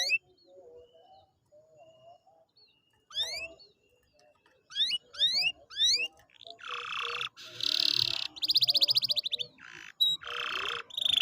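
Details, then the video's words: Canary song to encourage a reluctant canary to sing: faint scattered notes, then rising whistled sweeps and loud buzzy rattles, with low background noise. "pancingan kenari malas bunyi/agar gacor lagi"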